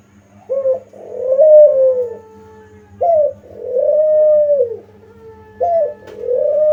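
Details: Spotted dove used as a lure to provoke answering calls: repeated two-part phrases, a quick upward note then a long smooth coo trailing into a steady tail, about every two and a half seconds over faint hum.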